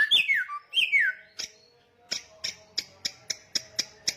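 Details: Loud samyong song: two swooping whistled phrases that fall steeply, then a series of evenly spaced sharp ticks, about four per second.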